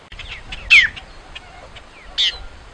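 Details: Great-tailed grackle singing: two loud, harsh, buzzy notes, each with a sharply falling whistled core, about one and a half seconds apart, with faint soft chirps between them.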